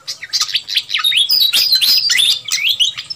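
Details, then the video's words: Fantail flycatcher lure recording used to attract wild birds: loud, jumbled chatter of high-pitched chirps, squeaky downslurs and brief buzzy notes packed closely together without a break. "Suara Pikat Burung Sikatan Kipas RIBUT. Dijamin Memikat Yang Liar"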